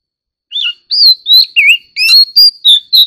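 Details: White-rumped shama, an ornamental bird stirred into competitive singing, gives a string of eight loud, clear whistled phrases, each swooping or warbling, about three per second, over a faint constant high tone.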